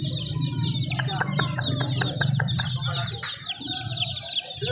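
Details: High, rapid peeping from a group of chicks, broken by a run of sharp clicking knocks, with low humming and talking in the background.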